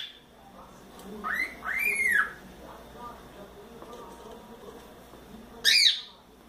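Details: Young pet cockatiel, a four-month-old male, playing in its playground: two clear arched whistles rising and falling, then after a pause a short, harsh, higher call, over a faint room hum.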